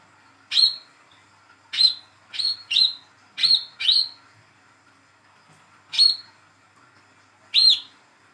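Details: Olive-backed sunbird, young and still spotted, hand-reared, calling to spur a silent bird into song: quick high whistled chips, six in a rapid burst, then two more after a pause, each with a sharp bright tone.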